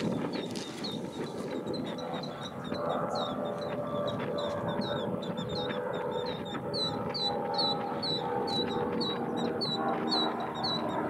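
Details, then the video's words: Four killdeer having an argument trade rapid, high, shrill notes, overlapping several times a second, over a steady rumble of wind or distant traffic. "Killdeer, 4 birds having an argument"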